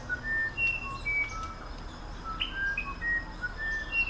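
Musician wren singing pure, flute-like whistled notes at varied pitches, several each second, some sliding up or down, over a soft background hiss.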